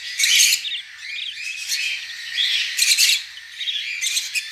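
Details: Young Budgerigars removed from their nest by hand make rough, scratchy chirps and raspy squawks in uneven bursts, louder at the start and again near the end.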